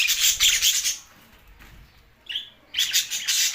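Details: Budgerigars, said to be lonely, recorded June 7, 2024: a second of harsh, high chattering, a quiet gap broken by a single short whistled note, then another loud burst of scratchy twittering.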